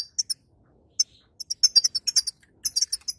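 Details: Female European goldfinch twittering, intended to spur a weak male to sing after moult: a few isolated high chirps, then a dense run of bright metallic tweets, a brief gap and a final cluster.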